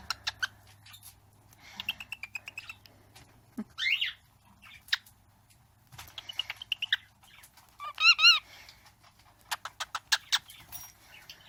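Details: Pet bird almost one year old copying sounds its owner makes, including kissing sounds and 'ahh': scattered clicks, buzzy chatter and a loud warbled whistle near the end, over a faint low hum.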